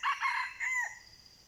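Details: Part of a red junglefowl crow, recorded while wild birds are lured with a decoy: loud harsh syllables followed by a falling, drawn-out final note, then quiet.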